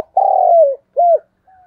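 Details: Spotted dove, a decoy bird calling to lure wild doves for trapping: a long, low, steady coo that slides downward at the end, then a short arched coo, and a faint trailing note. Quiet background.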